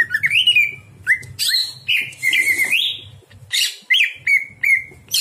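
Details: Greater green leafbird at night, song played as a training model for other birds: looping, warbling whistles rising and falling, a long wavering whistled note, then quick short chirps, with low hum behind.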